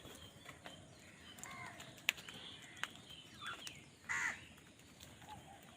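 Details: Crows fighting for food give a run of harsh, nasal caws with stacked overtones, several short ones mid-way and a louder drawn-out caw near the end, over steady hiss and scattered sharp clicks.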